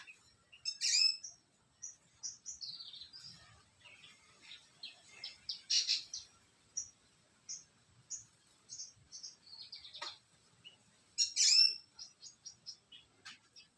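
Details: Parva-race Australasian bushlark giving a long, lively song of high sharp chirps, trills and slurred whistles in rapid bursts, with several louder rattling flourishes, in an otherwise quiet setting.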